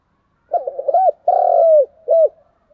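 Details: One full 'gù đấu' fighting phrase from a spotted dove: a stuttering opener running into a hooped note, a drawn-out rolling coo that drops in pitch, and a crisp closing coo, all low and clean.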